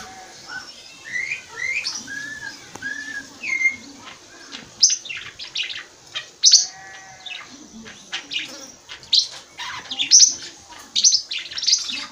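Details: A budgerigar imitates a troupial and a tuim parakeet, chattering in a fast, scratchy warble of clear whistled notes and short high chirps in an irregular stream.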